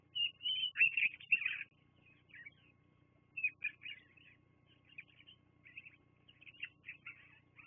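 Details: Bald eagles filmed by a live nest cam on 24 September 2022 at 12:14. A loud burst of high, squealing chatter opens the clip, followed by softer, scattered piping notes in irregular runs. Faint low hum sits underneath.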